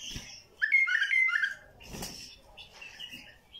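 A bulbul gives a rich, liquid warbled phrase of bubbling whistles, followed by softer scattered notes and a brief burst of background noise.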